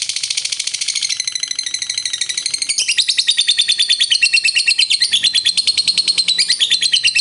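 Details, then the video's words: Lovebird giving its long ngekek song, a continuous high, rapid chattering trill of evenly repeated notes sustained throughout, used to stir other lovebirds; sounds slightly roomy, as if indoors. "Suara Burung Lovebird Ngekek Panjang Pintar Naikkan Emosi"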